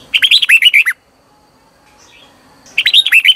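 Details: Decoy singing of a Red-whiskered bulbul meant to draw in wild birds, a rapid run of rolling, warbled whistles, a pause of nearly two seconds, then the phrase begins again.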